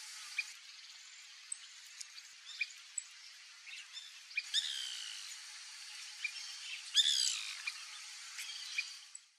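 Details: A white woodpecker (Melanerpes candidus) feeding on backyard fruit gives harsh, rolling chattery calls in short bursts, one loud rattle near the end, over steady high hiss and scattered small chirps.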